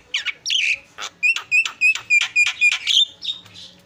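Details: Javan myna singing in a tutor recording for training other birds, a fast run of short harsh chirps and sharp whistled notes repeated about three to four per second, ending in a scratchy buzzy note.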